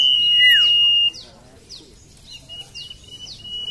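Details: Common iora song used as a lure to prompt reluctant birds to sing: a long, steady, high whistle, then a sharp downslurred note. Faint, quick descending chirps from other birds follow.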